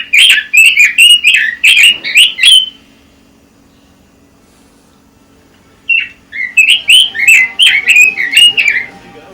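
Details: Red-billed leiothrix, an imported songbird, singing a quick run of clear, warbled whistled notes, two bursts of about ten notes separated by a few seconds of quiet, with a faint low electrical hum underneath.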